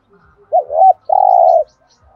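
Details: Spotted dove 'thúc gù' coo meant to stir other doves into calling: a looping two-part note, a brief pause, then one long, even, sustained coo.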